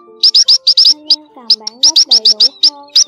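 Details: Munia flock of males and females calling, recorded for net-trapping lures: rapid high, short chirping notes in quick bursts and pairs, with low steady tones and sliding hums underneath.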